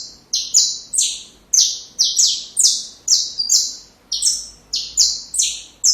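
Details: Saffron finch song for training young birds: a rapid chain of high, strident notes, each a bright downward-sloping slur with a sharp onset, repeated in quick succession with brief gaps.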